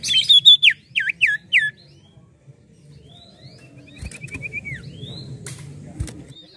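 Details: Common Iora singing actively: a burst of loud, clear whistled notes, each dipping and rising in a U shape, given about four times in quick succession, then fainter chirps and twitters over a low background hum.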